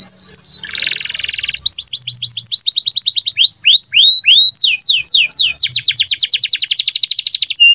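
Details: Canary singing a loud, varied song: rapid repeated high whistled trills with falling sweeps, a harsh buzzy burst near the start, then long fast rattling trills and clear descending notes.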